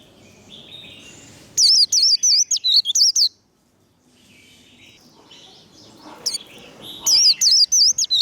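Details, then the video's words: Warbling white-eye singing the 'líu đấu' fighting song style, used to fire up and train white-eyes: two bursts of very high, rapid, wavy whistled notes, about three per second, separated by a quiet gap. "Vành khuyên líu đấu. Khuyên líu kích bổi. Kích lửa vành khuyên líu đấu"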